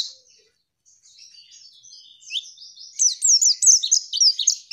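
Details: Soft, distant-sounding twitter from a female white-eye in a tutor recording meant to get birds singing, then a loud final burst of rapid, high zigzag chirps.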